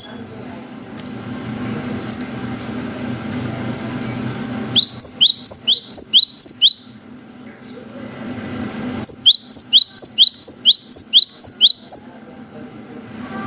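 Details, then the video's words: Cinereous tit (gelatik batu) in long 'wucit panjang' song style, used as a lure recording to provoke young birds to respond and sing: two bursts of rapid high whistled notes, about two per second, separated by a quiet gap over a low background hum. "GELATIK BATU GACOR WUCIT PANJANG"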